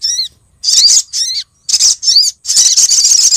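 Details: Female Brown-throated Sunbird calling the male, used as a lure sound to attract birds: high, thin, sharp chirps with upward-sweeping notes, delivered in short bursts of about half a second separated by brief pauses.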